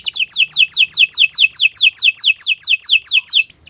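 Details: Canary singing as a master for other birds to learn from: a steady run of rapid falling whistled notes, about four per second, stopping abruptly at the end.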